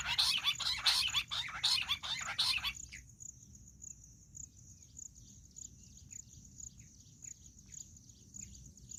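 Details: Jungle bush quail call used in hunting: about three seconds of quick, shrill, repeated chattering bursts, then a sudden stop leaving faint high ticking and soft background hiss.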